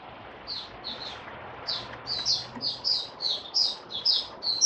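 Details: Opening song of a white-eye stabilizing its form, dated 08012022: a steady run of high, thin, down-slurred chirps, nearly two per second and growing louder, over a soft background hiss.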